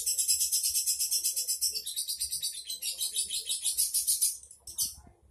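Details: A trained lovebird gives a long, shrill, rattling ngekek trill of fast high chirps for over four seconds, then a brief final burst; the recording is meant as a tutor call to rile up quiet birds.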